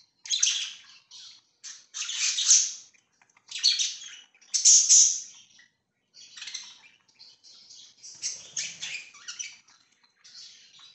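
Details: Continuous budgerigar chatter from pet birds, 24 September 2024: loud scratchy chirps and squawky bursts early on, giving way to quieter, rapid twittering warble.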